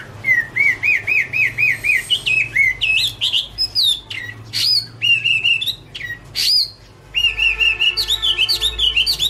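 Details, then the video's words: Chinese hwamei autumn song: a fast series of repeated bouncing whistled notes, then loud varied rising and falling phrases, sharp clicks and more rapid repeated whistles, with a short quiet break midway. "" Autumn Love Song " Bird Garrulax canorus Singing- Birdsong"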